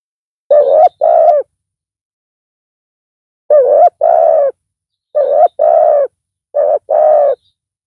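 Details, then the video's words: Loud spotted dove decoy calling during pikat dove trapping; four paired coos, one pair followed by a long pause, then three pairs in quick succession, each a brief rising note followed by a fuller sustained coo. "Pikat tekukur tapau Bl suara besar"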